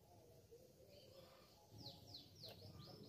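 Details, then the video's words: A grey-cheeked tit-babbler gives three high, clear notes, each sweeping downward, about a third of a second apart, over a low background rumble. "Masteran & Pancingan Burung Tepus Pipi Perak Gacor"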